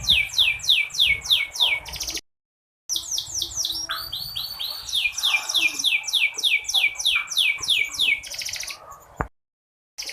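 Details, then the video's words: Female canary voice used to prompt lazy or stalled males into full singing and raise their breeding drive: rapid series of bright rising-falling chirps repeated about three per second, with two brief silent gaps. "Suara burung kenari /pancingan buat burung kenari yang malas bunyi."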